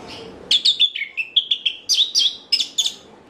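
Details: Orange-headed thrush, used as a lure to make other orange-headed thrushes answer, singing a quick, varied string of about a dozen bright, high whistled and chirped notes in short clusters.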